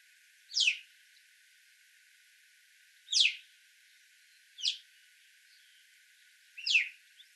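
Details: Alpine chough (Pyrrhocorax graculus) gives four shrill, high, downward-sweeping 'preeep' calls at uneven gaps over seven seconds, quiet background.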